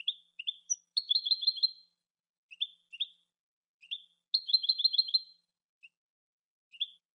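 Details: Jilguero cante, a European goldfinch's song: scattered high twittering chips alternating with two bright rapid trills of repeated liquid notes, crisp and isolated with no background sound.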